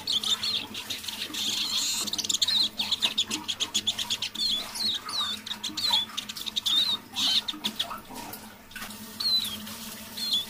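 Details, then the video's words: Evening half-voice song of a caged decoy Eurasian siskin, warming up: dense rapid twittering and chattering notes, then rising slurred whistles repeated toward the end, with a soft low background hum. "Песня моего манного чижа"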